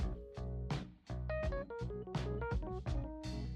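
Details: Only keyboard music is heard, with steady sustained notes and low bass chords and no animal voices.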